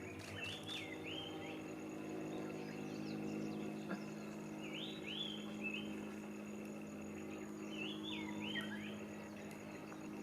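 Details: Small wild bird singing near a pond by a sports park in June: a short whistled phrase of rising and falling slurred notes, repeated about every three and a half seconds over a steady low hum and faint background chirps.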